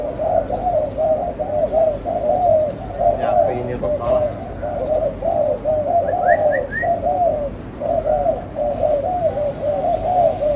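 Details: Pet spotted dove cooing steadily, low husky rolling phrases following one another almost without pause, with faint human speech in the background and a short burst of thin high chirps from another bird.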